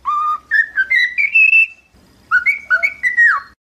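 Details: Cockatiel whistled song for teaching a cockatiel to sing: a clear whistled phrase stepping upward from low to high notes, a short pause, then a second phrase of rising and falling whistles that ends in a downward slur.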